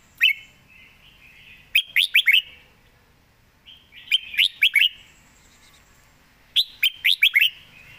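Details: Caged red-whiskered bulbul repeats the same short song phrase three times, roughly every two and a half seconds. Each phrase has four or five quick, bright, slurred whistles. The surroundings are quiet.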